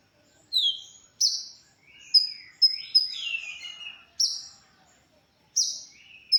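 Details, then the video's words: Konin singing, a recording meant for masteran tutoring of other songbirds: high, sharp whistled notes and bright downslurred sweeps, interspersed with lower buzzy glides, delivered in bursts with short silences between. "suara original konin untuk masteran"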